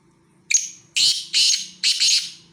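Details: Black francolin calling near Khushab: a brief clipped opening note, then three loud, harsh, grating notes, the last one doubled, with a faint low hum beneath.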